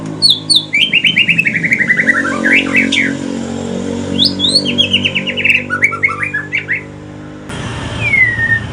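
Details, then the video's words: Mutation white-rumped shama from Aceh, a male, singing in the evening: loud descending runs of rapid whistled notes, sliding from high to lower pitch, repeated twice, with steady low hum and a clear whistle near the end. "Kicauan sore hari murai mutasi ke pastol si paling cerewet"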